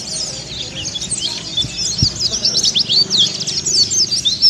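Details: Mountain white-eye, called pleci dakun kelud, in continuous ngeriwik sambung twittering used as training to make birds open their beaks: rapid, high, thin chirps and twisting whistled notes tumbling together without pause, faint low background hum.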